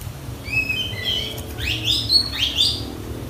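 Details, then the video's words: Softer, more distant passage of Oriental magpie-robin song with inserted phrases: thin, sustained whistles and warbled high notes blending into a continuous twittering ramble over background hiss. "kacer gacor full isian"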